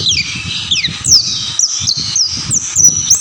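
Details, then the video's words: Oriental white-eye in lively song: rapid high thin whistled notes with quick downward slurs, tumbling continuously, over low rumbling background noise. "burung pleci gacor"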